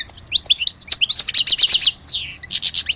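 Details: European goldfinch, an Algerian bird, singing a fast twittering song of high tinkling notes, quick buzzy trills and sweeping slurred whistles, with no other sounds.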